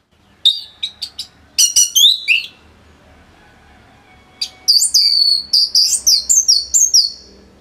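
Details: Orange-headed thrush song for teaching other birds: a few spaced whistles, then rapid strings of sweet, downslurred whistled notes repeated about four per second.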